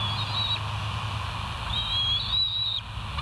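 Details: Bald eagle at the West End nest, live camera, early morning of 4 August 2023; two long thin high whistles, the second wavering and sustained, with constant low background hum.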